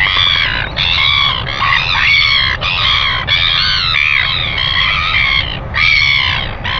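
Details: Greeting calls from a northern royal albatross on a nest camera, early morning 25 December 2019 at 5:57 a.m.: long, wavering, nasal brays in phrases of about a second with short breaks, over faint wind rumble.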